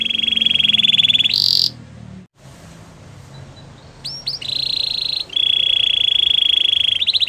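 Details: Belgian canary song with long sustained rolling trills, a brief higher burst, a pause, then a few rising notes before another steady trill; faint low background hum.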